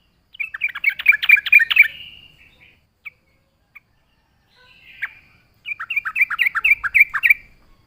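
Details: Lively yellow-vented bulbul song used to lure other bulbuls: a quick run of bright, gurgling notes, two isolated chips, a short rasp, then another fast bubbly phrase.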